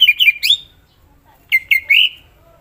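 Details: Greater green leafbird in lively song: two quick phrases of bright, slurred whistles, each note bending down then up, with a short silent pause between the phrases.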